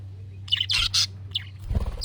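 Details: Budgerigar calls meant to make a pet budgie respond: a few short squeaky chirps and a harsh burst, over a low constant hum.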